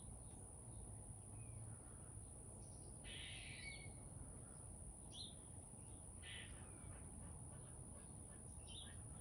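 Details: Chickadee in a backyard uttering several brief, rough, buzzy notes spaced irregularly over several seconds, quiet beneath continuous low background noise and a steady high-pitched hum.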